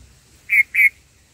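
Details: Black-headed bulbul mother feeding chicks in the nest gives two harsh, buzzy, mid-pitched notes about a quarter second apart, then quiet, with faint low hum behind.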